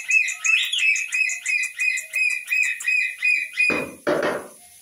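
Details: Talking pet parrot giving a run of clear, mid-high whistled notes repeated about three times a second, each slightly rising. The run ends with two broad, noisy bursts.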